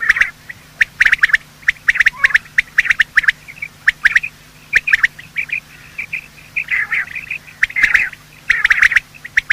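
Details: Quail, male and female, calling in the morning as a hunting lure: rapid clicking bursts interspersed with short nasal chirps and longer rough chattering notes.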